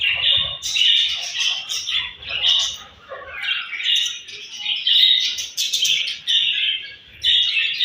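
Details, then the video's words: Morning feeding time for budgerigars, with a loud, rhythmic chatter of chirps and squawks rising and falling in bursts about every second. "𝘽𝙪𝙙𝙜𝙞𝙚𝙨 𝙈𝙤𝙧𝙣𝙞𝙣𝙜 𝙁𝙤𝙤𝙙 𝙒𝙞𝙩𝙝 𝙈𝙤𝙧𝙣𝙞𝙣𝙜 𝘾𝙝𝙞𝙧𝙥𝙞𝙣𝙜 𝙎𝙤𝙪𝙣𝙙𝙨"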